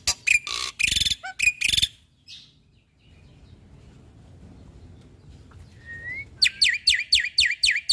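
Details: Black-winged starling song from a recording used to train caged birds: loud harsh bursts and whistled notes, a quiet pause, a rising whistle, then a rapid series of sharp down-slurred chips.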